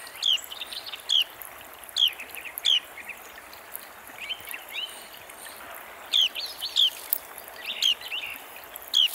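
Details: Close-up Carolina Wren: a series of crisp, loud, falling whistled notes in short runs, pausing briefly midway before resuming, while softer chirping from other birds and a gentle hiss fill the gaps.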